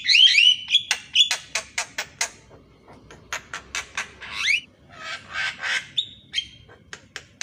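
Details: Javan myna singing in the morning, a song used to train reluctant mynas: a clear rising whistled phrase, then a fast string of harsh chattering notes and scratchy bursts, ending with a brief whistle.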